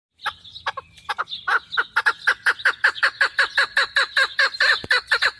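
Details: Female hunting chukar partridge giving a fast run of harsh, clucking chuk notes, a few hesitant notes at first, then a steady string of about four per second that keeps going to the end.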